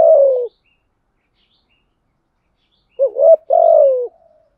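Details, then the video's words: Spotted dove lure call for wild doves: the end of a long falling coo, then silence, then a complete phrase made of a rising quavering note and a prolonged mellow coo sinking in pitch. "Tiếng Cu Gáy Giọng Hạp BổI ĐỦ BÀI ( GÁY GỌI,THÚC,GÙ )"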